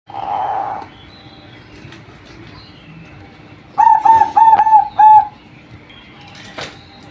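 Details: Female zebra dove cooing: one drawn-out, steady coo, a pause, then a quick run of four short, bubbling coos on the same pitch, over a low steady background hum.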